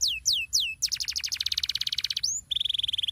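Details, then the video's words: Domestic canary in 'ngerol' rolling style, used as bait song to set other canaries singing: three sliding downward whistles, then a long rapid buzzy trill, a rising whistle, and a steady high rattling roll. "30 detik ngerol Pancingan Ampuh buat kenari kurang gacor sekali tarik kenari pasti ikut bunyi"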